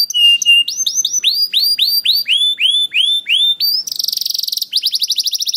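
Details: Singing canary, played to prompt other canaries to sing: clear whistled notes, then a series of loud, descending slurred whistles repeated about twice a second, a harsh buzzy burst, and a rapid chattering trill.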